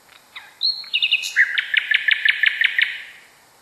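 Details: Nightingale song used to train canaries: a clear sustained whistle, a few quick notes, then a fast, regular series of short pulsed notes that trails off.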